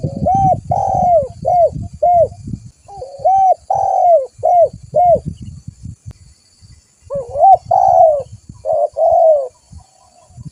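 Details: Spotted dove, a vigorously calling bird used as a lure and training model: repeated soft, mellow coos in short bursts, some rising then falling, with a pause midway and low rumbling background noise.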